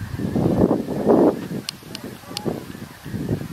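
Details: Snow geese in a very large flock, 17 November: a thick, continuous babble of overlapping honks with louder peaks, plus a few sharp clicks.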